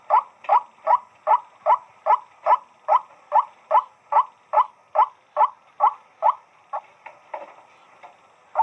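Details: A white-breasted waterhen repeats coarse nasal croaks at an even rhythm. The series weakens and fades near the end before one final loud note.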